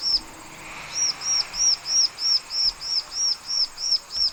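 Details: Bar-winged prinia in loud, persistent song: a steady series of high, arched, clear notes, roughly three a second, evenly spaced over a faint hiss.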